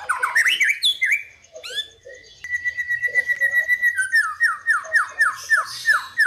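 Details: White-rumped shama, fighter songbird, lure song to rile rival birds: opening chatter, a long sustained whistle, then a rhythmic train of about ten repeated falling whistled notes.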